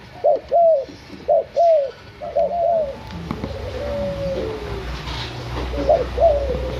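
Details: Tame six-month-old white backspot spotted dove kept in Semarang, Indonesia, singing in the local kuk 1 nyandung 2 cetetan style: paired mellow coos with bent, rising-falling notes, repeated about once a second, then a longer drawn coo and further pairs over low room hum.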